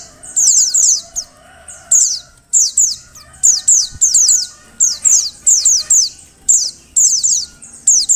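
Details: Repeated bright, high chirps of a female Oriental white-eye calling to get males singing, descending sharply, in rapid clusters with brief gaps, keeping a lively steady rhythm.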